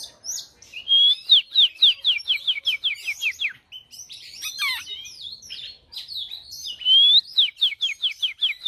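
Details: An Oriental magpie-robin in tail-spread contest display sings bright whistled phrases of quick upslurred notes, about eight to nine a second, broken by a harsher, jumbled passage. No other sounds stand out.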